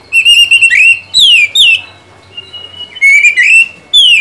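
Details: Oriental magpie-robin in full song, meant to stimulate another bird to sing: bright, pure whistled phrases, some wavering, others sweeping steeply down, delivered in loud groups with a brief quiet pause midway.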